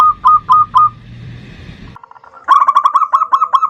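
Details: Zebra dove, local type, singing a 'ndudut' variation for luring an agitated rival. It gives a few spaced cooing notes over background rumble, a lull, then a fast, tightly repeated run of hooked coos.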